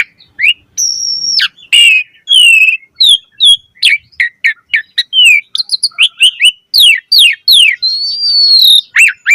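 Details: Asian pied starling singing nonstop with full variation, used to encourage other starlings: a high flat whistle, then a dense string of chirps, slurred upward and downward notes and a long gently arching whistle near the end.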